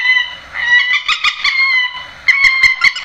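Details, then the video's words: Grey-headed swamphen calls, used to lure birds into nets at night: loud nasal, harmonic squawks in bursts, with a pause near the middle, then a sharper rising burst of repeated notes at the end. "tiếng trích ré"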